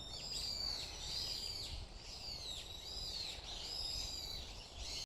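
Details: High arched whistled notes from birds at Iwashimizu Hachimangu shrine, each phrase sliding up then down, repeated roughly every second in a steady rhythm, with soft low ambient noise underneath.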